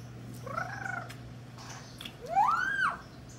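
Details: A male pet Mexican red-crowned amazon, a skilled talker that taught himself the trick, mimics beeps: two whistled tones, a faint one, then a louder rising-falling note, over a steady low hum.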